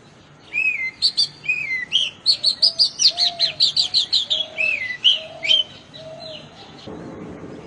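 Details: An Oriental magpie-robin (doel) in rural Bengal sings a rich, varied run of sweet whistles, slurred notes and rapid chattering phrases, about two to three notes a second, clear against a quiet background.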